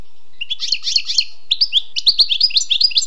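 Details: Wild European goldfinch singing a rapid string of bright, liquid twittered notes that quicken into a dense chattering sequence.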